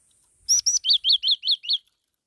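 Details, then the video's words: Black-throated laughingthrush song phrase made of two sharp, high opening notes and five loud, arched whistles, delivered quickly and evenly. "Tiếng chim chi chi mào mồi hót"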